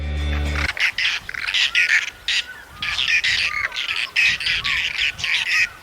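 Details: Whiskered terns in Sri Lanka giving harsh, rasping calls in short bursts, several overlapping at an uneven pace, after a brief musical note at the start.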